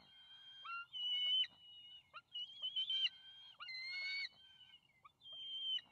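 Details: Two young bald eagles at their nest on May 28, 2020, scrambling to take a fish the adult male has just delivered. Shrill, whistled screams with sharp upward-sliding notes, broken into uneven bursts.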